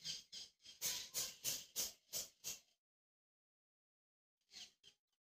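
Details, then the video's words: Rose-ringed parakeet, natural voice: a fast run of eight harsh, noisy screeching notes at about three per second, then silence and two more short screeches near the end. "Ringneck Parrot Natural Voices"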